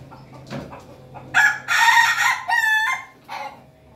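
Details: A laughing-chicken rooster crowing on a Monday morning gives choppy, stuttering bursts that roll into a rapid, laugh-like run of notes over about two seconds, over a faint low hum.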